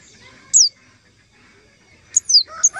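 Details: Lure call for trapping white-eyes: one sharp, high, falling whistle, a long pause, then a hurried burst of three thin descending notes mixed with softer chirps at the end.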